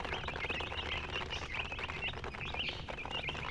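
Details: Baby chicks giving scattered high peeps, fewer and more spaced than a full chorus, over a noisy low rumble.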